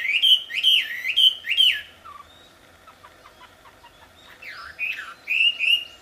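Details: Wild wambi singing loudly and melodiously: high whistled notes sliding downward, repeated about three times a second, then a quieter run of short clipped notes before the bright swooping whistles return.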